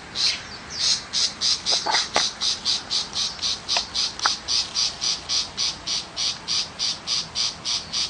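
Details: Tiger shrike calling in the countryside: a sustained, metronome-like chatter of high rasping notes, nearly four per second for eight seconds. A few sharp clicks sound early on.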